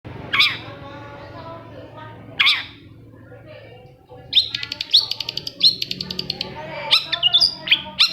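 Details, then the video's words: Long-tailed shrike song played to prompt other shrikes to sing: harsh upward-swept notes alternate with rapid runs of sharp high clicks and chattering, with faint low voices beneath. "CENDET MACET SUSAH BUNYI PASTI NYAUT KETIKA MENDENGAR TOETAN BURUNG CENDET INI"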